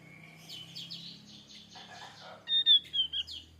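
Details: Male Javan grey-throated white-eye, a highland forest bird endemic to Java, singing a varied mix of high chirps and twittering notes, ending with a run of loud clear whistles.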